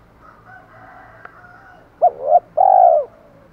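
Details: Spotted dove giving challenge calls and calls to hens: after nearly two seconds of faint background hum, two short rounded coos come in quick succession, then a longer, drawn-out falling coo.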